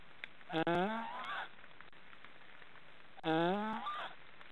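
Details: Two loud, hoarse, upward-climbing calls about two and a half seconds apart, each ending in a higher whine. These are snoring sounds from three young black storks in a nest in an Estonian forest.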